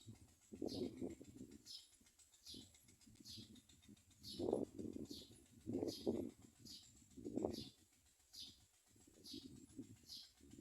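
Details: Common myna chicks begging as their mother feeds them, giving harsh, raspy bursts in uneven surges every second or two, with thin high chirps repeating steadily behind.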